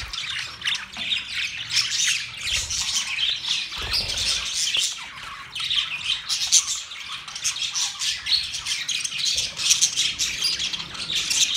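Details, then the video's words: A group of budgerigars, Australian parrots, keeps up long, lively chirping, with rapid high twitters and squawks running together without pause and occasional sharper peaks of louder calls. "Beautiful Australian parrot Budgies chirping sound Parrot sounds"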